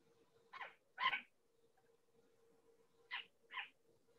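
Short-eared Owl giving four harsh, raspy barks in two pairs, roughly two seconds apart, over a faint steady hum.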